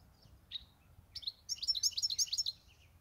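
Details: A pet European goldfinch, kept for eight years, gives a quick burst of bright, high twittering notes, thin chirps running into a rapid liquid jingle, with a faint low background hum.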